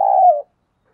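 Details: Decoy spotted dove producing a single soft, low coo that slides gently downward and stops abruptly after under half a second.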